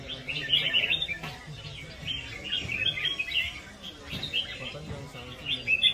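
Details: Red-whiskered bulbul singing in a rhythmic competitive fighting style: bright, chattering phrases in short bursts with brief pauses, repeated through the recording over a low background rumble.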